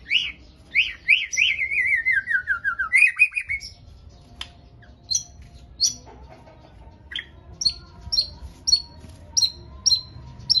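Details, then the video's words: White-rumped shama singing, a caged bird kept for song: fast rising whistled notes in a descending series, then scattered short high chips and sharp notes with pauses between them. "murai batu pastol gacor"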